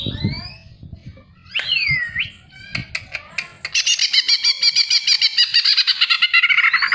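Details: Song of a greater green leafbird, played as a lure to get other birds singing; opens with clear looping whistles and a few sharp clicks, then breaks into a long fast, dense chattering warble.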